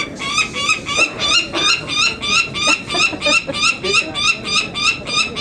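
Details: Nestling Peregrine Falcons calling during banding on a city building at Market Tower, Indianapolis, Indiana, on May 19, 2009, noisy and excited but unhurt; loud harsh repeated cries about three per second, bands of sharp overtones, steady throughout.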